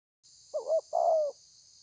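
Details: Spotted dove, a kept bird, recorded 30/11/2020, cooing in the thổ pha style: one short two-part hooting phrase, a quick dipping note and then a longer, falling coo, over a steady high hiss.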